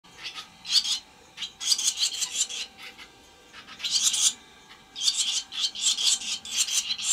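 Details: Barn swallows at a nest with chicks, watched on a livestream on the evening of 30 May 2023 around 19:27, give harsh, raspy, high-pitched bursts of scratchy chatter in quick clusters, pausing briefly between bouts.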